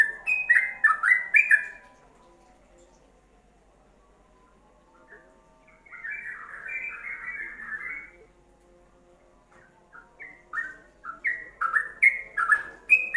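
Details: Ropelan song of a yellow-vented bulbul, used to train songbirds: a loud burst of rapid warbled whistles, a long pause, a softer blurred chatter, another pause, then quickening loud phrases again.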